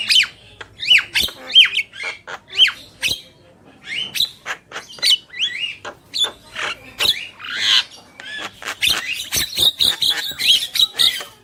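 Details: Male and female Javan mynas in lively song: a run of evenly spaced sharp rising whistles, then varied squawks and whistles gathering into a rapid, dense chatter near the end.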